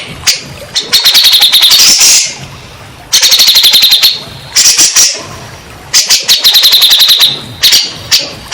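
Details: {'caption': 'Grey-cheeked bulbul, played as a lure for stressed, non-singing birds: repeated bursts of fast, harsh, machine-gun-like high notes, each run a second or more long, separated by brief pauses.'}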